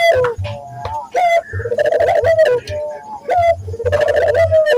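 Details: Barbary dove cooing on a lure recording used to train local doves to coo frequently: mid-pitched tonal coos, rising then falling, repeated with deep throbbing low notes beneath and sharp clicking accents between phrases.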